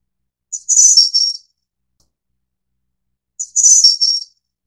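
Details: A snowy-browed flycatcher of the Taiwan-endemic subspecies Ficedula hyperythra innexa gives a very high, thin, tinkling phrase of several quick notes, repeated about every three seconds, with nothing else heard.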